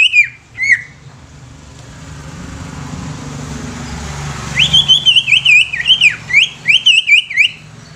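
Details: Greater green leafbird song to stir other leafbirds into singing and agitation: a few whistled slurs at the start, several seconds of rising background noise, then a long, fast run of bright whistled notes with sharp up and down inflections.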